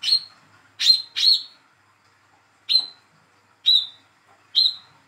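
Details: Young speckled Olive-backed sunbird, hand-raised, calling to prompt silent birds to sing: short sharp chirps with a bright downward tail, six in five seconds, the first three close together.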